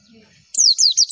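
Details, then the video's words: Brief pleci white-eye tutoring phrase: three sharp, high, falling whistled notes in quick succession after a soft low murmur. "MASTERAN AMPUH PLECI, Klik sekali semua pleci pasti nyaut"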